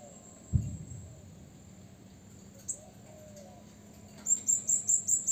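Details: Blue-crowned hanging parrot lure call for provoking rivals: after a soft thump and quiet stretch, six rapid, evenly spaced, thin high-pitched notes close the passage over low background noise.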